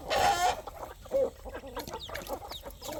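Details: Poultry farm hens and roosters at evening feeding: a loud, harsh squawk opens, then a short higher note and scattered soft clucks amid pecking clatter.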